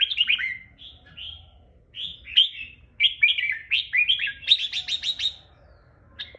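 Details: Long, forceful 'ché'-style song from a captive red-whiskered bulbul: rapid tumbling chirps and slurred whistles, ending in a fast run of about eight sharp repeated notes before a final chirp.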